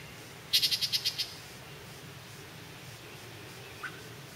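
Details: Yellow-breasted chat in a spring holler, several birds chasing each other, possibly territorial or mating, gives a quick burst of seven harsh, dry notes in under a second, then a lone short whistle, over a steady low rumble.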